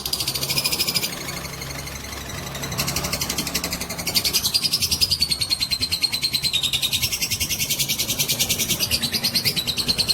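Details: Long-duration ngekek trill from a fighter lovebird, used to provoke fighting: a sustained buzzing rattle of very rapid high pulses, dipping briefly in loudness, with a whistled tone wavering and falling slightly throughout.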